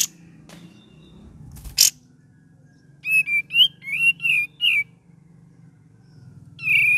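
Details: Cream-vented bulbul, gacor singing: a quick series of six wavering whistled notes in about two seconds, preceded by a sharp chip and followed by one more whistle, over a steady low hum.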